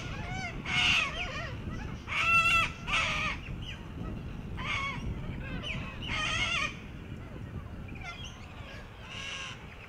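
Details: Flock of little corellas (Cacatua sanguinea) in Australia, playing on a children's sandpit and swings, give harsh, screechy squawks in ragged bursts, several calling over one another above a steady rumble.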